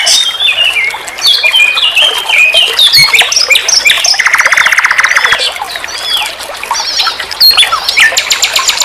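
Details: Varied nightingale song, recorded as a master track for teaching songbirds: quick chirps and slurred notes, a dense low buzzy trill in the middle, then sharp high repeated notes closing the phrase.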